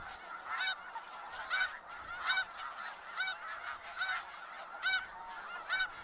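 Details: Flock of snow geese in Skagit Valley calling continuously; sharp, loud honks stand out roughly every second over a constant murmur of many distant birds.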